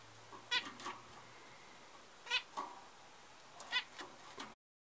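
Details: A zebra finch chick six hours old gives thin, brief begging cheeps in small clusters every second or so.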